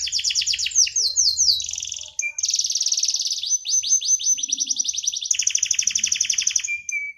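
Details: Canary in vigorous song: dense fast trills, buzzy tours and sweeping chirps run together almost without pause, closing on a thin level whistle.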